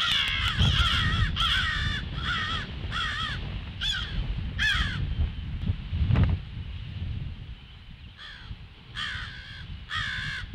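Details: Crow alarm at 08:50 on 18 February: rapid nasal caws in a run, a lull with only low background rumble, then renewed quick caws near the end.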